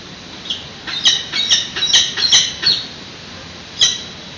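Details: Hungry peregrine falcon nestlings at a San Francisco nest during a morning feeding, 13 June 2017, webcam audio: a fast burst of shrill, scratchy squeals, then a pause and one last cry.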